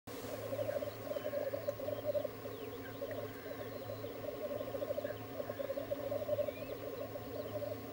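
Black grouse at a lek make a continuous, low, bubbling cooing chorus that rolls on without pause, with a few faint higher notes above.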